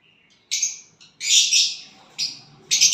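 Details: Violet bird singing and chirping when it gets a partner: four loud, harsh, buzzy bursts of high chirping, each under half a second, separated by short silent gaps.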